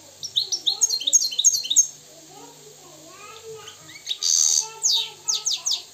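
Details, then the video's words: Moroccan goldfinch, wild, singing a fast run of high, clipped twitters over lower wavering tones, followed by a buzzy, rasping burst and more sharp chirps. "استمع واستمتع الى طائر الحسون المغربي الحر الاصيل"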